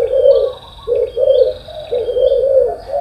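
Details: Spotted dove in the morning: brief, soft, low coos in two or three short bursts, with a thin, high whistle held steadily behind them.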